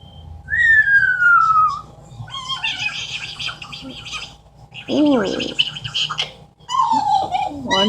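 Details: Female pet Amazon parrot in a small room mixing mimicked sounds: a falling whistle, raspy gargled chatter and squawky speech-like noises, a wavering throaty note, then another descending whistle.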